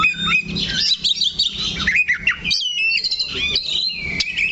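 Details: Caged kacer, or Oriental magpie-robin, perched still in one place and singing rich, fast phrases of whistles, rising slides and chattering chirps, ending in a long warbled run.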